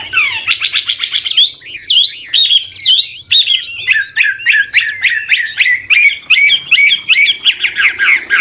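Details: Old wild Chinese hwamei singing continuously with varied, switching phrases, meant to stimulate young birds to sing; loud run of rapid slurred whistles swooping and zigzagging, notes tumbling in quick succession with faint low hum beneath.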